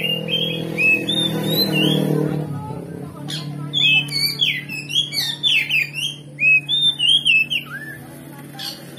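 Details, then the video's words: Oriental magpie-robin singing a provoking lure song meant to make another magpie-robin fight back. Opens with a few whistles over a loud low hum, then a quick string of chirpy, looping whistled notes, about four per second. "Pancingan Kacer Gacor Ngeplong Bongkar Isian"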